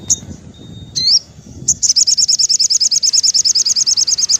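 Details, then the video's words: Sogon singing in the afternoon, meant to rouse captive birds: a high note, an upward-sweeping whistle, then a long, rapid, regular trill of very high chips. "suara sogon syahdu sore hari"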